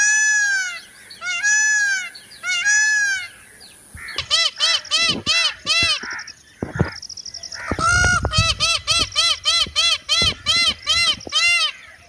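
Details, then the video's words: An Indian peafowl (peacock) gives three loud, nasal, wailing calls, then rapid bursts of short, ringing honks, about three per second, against a faint rural background. "Mor ke Awaaz//Peacock sound"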